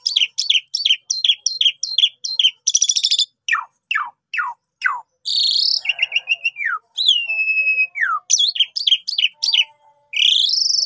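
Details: Javan pied starling lure song, gacor pancingan: rapid repeated ringing chips, a buzzy burst, a series of downward-sweeping notes, a long descending whistle, more chatter and a final rising whistle.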